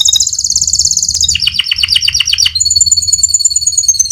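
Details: Canary, called a fighter bird, singing its rolling song, kept as a master recording for training other canaries: loud, very high, rapid trills in shifting phrases that change about every second, ending in a long sustained two-toned trill; low hum beneath.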